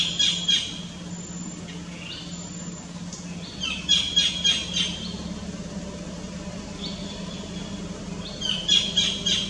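Collared kingfisher giving loud, harsh, repeated chattering notes in three bursts about four seconds apart, over a steady low engine hum and a few thin high whistles.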